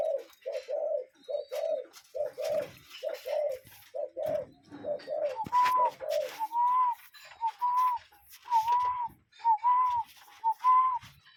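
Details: Cuckoo calling outdoors: repeated paired notes, a short then a longer one, first in a lower register and then higher and slightly arched, about one pair per second, with scattered soft clicks and faint high chirps.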